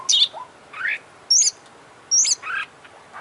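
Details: Oriental magpie-robin, an international champion, singing energetically with imitated notes: high whistled downslurs alternating with lower rising warbles roughly every second.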